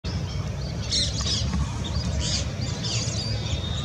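Lesser whistling ducks give thin, high whistled notes in several short bursts over a steady low rumble of wind or handling noise.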